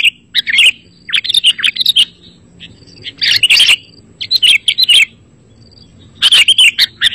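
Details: Sooty-headed bulbul song used as a lure to prompt other bulbuls to sing; bright bubbly phrases of quick warbled chirps in bursts about a second long, separated by short silences.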